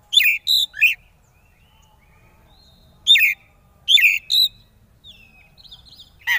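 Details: Oriental magpie-robin song for provoking rivals to sing: quick clusters of two or three sharp chirped notes, repeated after pauses, with soft thin whistles near the end.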